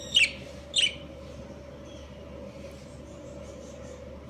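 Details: Budgerigar breeding pair, Australian parakeets: two short, harsh, high chirps early on and a third at the very end, with a steady low electrical hum throughout.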